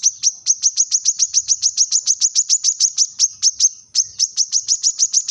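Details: Brown-throated sunbird calling rivals with a sharp voice: a long, fast, steady series of high, piercing chip notes, about four per second, with a brief break near the end.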